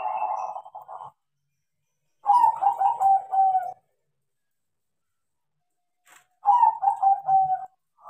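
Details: Crossbred zebra dove, said to sing freely because it was trained, giving three bursts of rapid, rolling, trilled coos at a steady mid pitch, each burst about a second long and separated by short silences.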